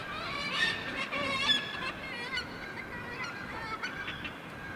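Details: Northern gannets at one of the northernmost colonies, Syltefjordstauran cliff, Varanger, Norway; loud harsh honking cries in the first seconds, then scattered softer rasping calls from many birds beneath.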